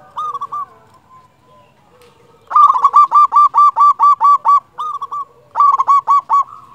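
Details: Local Indonesian zebra dove singing loudly, a recording used as a lure to stir other doves to sing: a few hooked coos, then a fast staccato run of about ten identical rolling notes, a pause, and a shorter run.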